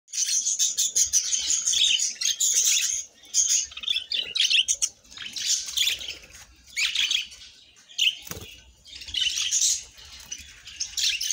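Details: Pet budgerigars chirping in bright, rapid bursts of high twittering warble, broken by short pauses, with occasional wing flutter.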